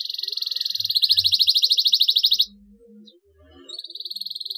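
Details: Canary chirping used as a therapy track to get silent, reluctant canaries to start singing. A rapid, high, buzzy trill pulses steadily for over two seconds, breaks off into near silence, then resumes with the same quick pulsed trill.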